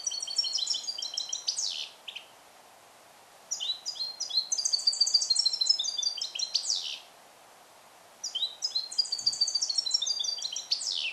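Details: European goldfinch born in captivity in 2021 and taught Neapolitan-style song, isolated in a carrier; three long phrases of fast, tinkling high trills and twitters, each ending in a descending buzzy sweep, with pauses between.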